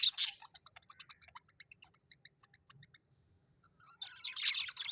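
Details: Pet budgerigars in a happy mood: a run of quick, evenly spaced clicking ticks, then a loud burst of scratchy high chatter.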